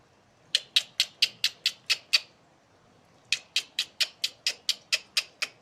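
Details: Asian pied starling producing its laugh-like song: two bursts of sharp, scratchy staccato notes, each burst about eight to ten notes at roughly two per second, separated by a short silence.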